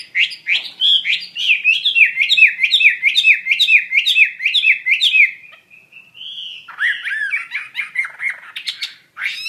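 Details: Fast series of sharp, repeated swooping whistles from a Chinese hwamei, about two per second, then a brief steady note and a looser, chattering warble with sharp clicks.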